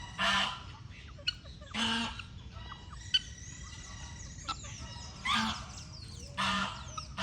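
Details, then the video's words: Domestic goose on a farm honking: loud, harsh, nasal honks in spaced pairs and singles, roughly four calls across seven seconds, with quieter twittering of small birds and faint clicks between them. "Ganso Cantando"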